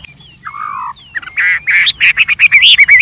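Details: White-rumped shama in the wild, a varied singer: a faint thin whistle and a low slurred note give way to a quickening burst of loud rich whistled notes rising toward the end.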